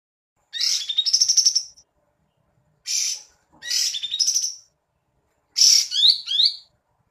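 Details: Cream-vented bulbul singing actively while fanning its tail: three short bursty phrases about two to three seconds apart, each a rapid buzzy trill running into clear rising whistled slurs, high-pitched, with quiet gaps and no other sounds.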